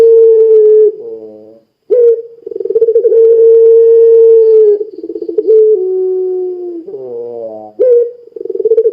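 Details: Puter pelung dove cooing to stir other doves into calling. Sustained level coos alternate with short, rough, buzzy harmonic notes and clipped upslurs, followed by bursts of rapid pulsing.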